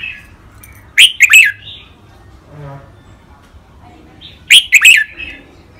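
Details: Red-whiskered bulbuls in cages sing a training song of the rik, beul, lak wai, mae bot and nap dok kinds. Two loud rapid whistled phrases about three and a half seconds apart, each three clipped notes ending in a warble.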